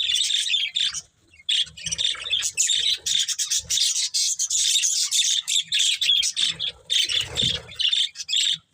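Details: Near-continuous budgerigar warbling from a breeding pair: rapid, raspy, high chattering notes with only brief breaks, over soft low-pitched background rustle.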